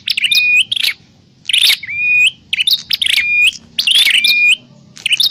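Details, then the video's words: Prinia calls used as a lure for trapping birds: bursts of sharp, buzzy chirps, each ending in a short level whistle, given in four clusters about a second apart over a faint low hum. "Suwara Burung Prenjak_klawu Buwat_Mikat"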